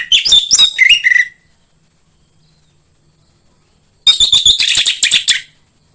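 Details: Orange-headed thrush song for stimulating home-kept birds: two dense bursts of rich, rapid whistles and twitters, the first ending in a falling slur, about three seconds apart over light hiss.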